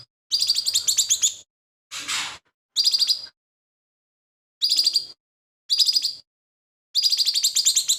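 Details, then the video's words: Lesser green leafbird singing hard, its song said to carry imitations of other birds; rapid chirping bursts with a harsher noisy rasp near the start, then silence and further trilled phrases. "CUCAK IJO MINI GACOR"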